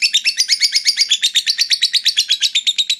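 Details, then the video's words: Lovebird in full ngekek, a long trill said to push fighter birds into breeding excitement: loud, regular shrill pulses, roughly seven per second, with a slight downward-sliding pitch on each note. "suara lovebird ngekek panjang fighter bikin jebol birahi"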